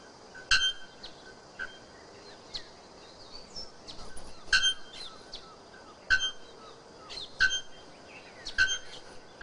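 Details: Bare-throated bellbird giving sharp, clanging bell-like strokes every second or two. Softer chirps and twitters from other small birds fill the gaps.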